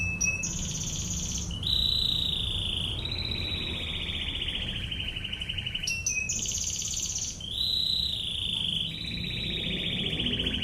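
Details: Canary master song, 'tembakan ngebren' style, in two similar phrases: a brief sharp note, a high rapid trill, then long lower rolling trills that slide slightly downward, all over a low steady background rumble.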